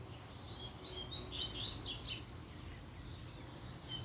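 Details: Double-collared seedeater singing excitedly after a female appeared: scattered, quick high twittering notes, strongest in the middle of the stretch, over a steady low hum.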